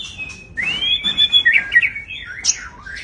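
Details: White-rumped shama, a big caged bird, pouring out a fast, varied song of high sliding whistles and quick trills, loud and continuous for most of the phrase.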